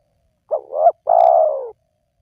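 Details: One spotted dove phrase used to lure wild doves: two brief upslurred coos run together, then a single long, steady coo that slowly drops in pitch.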